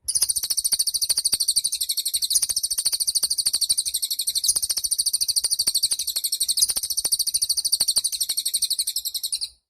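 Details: Cililin bird in full song, used as a master recording for training songbirds: one unbroken, very high, shimmering trill of fast, even pulses lasting nearly ten seconds, with no other clear sounds.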